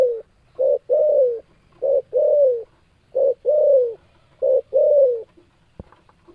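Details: Spotted dove calling in a repeated pattern of a brief low coo then a drawn-out descending coo, four phrases in a row, with a faint click near the end.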